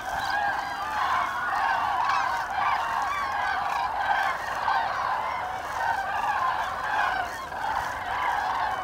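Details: Large group of common cranes during autumn migration, October 2021, giving a thick, steady chorus of loud trumpeting and rolling calls throughout.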